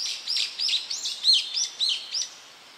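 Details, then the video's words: Tledekan song meant for tutoring cage birds, delivered as a fast series of sharp, down-slurred high chips and whistles, roughly eight notes in under three seconds over a faint hiss. "Masteran Burung Tledekan"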